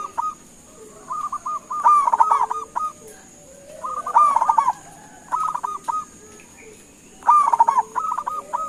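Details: Local zebra dove calling to draw an answer from other birds: stuttering, trilled coo phrases in four bouts, repeated every two to three seconds, with a steady faint high hiss throughout.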